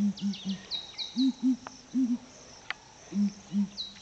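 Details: Ground hornbills calling in the morning at Flatdogs Camp: resonant low hoots in short doublets and triplets, separated by brief pauses, while small birds chirp sharply in the background and a couple of clicks sound.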